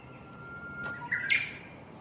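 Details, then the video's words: A Japanese bush warbler, singing repeatedly on 6 May 2017, holds a long, steady whistled note, then snaps into a quick, rising hoo-hokekyo flourish, with quiet background hiss. "ウグイス Japanese bush warbler の鳴き声"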